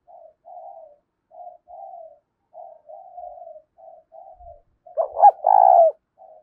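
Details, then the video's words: Spotted dove cooing for luring wild doves, 'thúc' style: a string of soft, short, quiet coos in quick succession, then one loud three-part phrase ending in a long coo, followed by a faint note. "Tiếng cu gáy THÚC hay giọng hạp bổi, mở lên bổi rừng nhanh về cội"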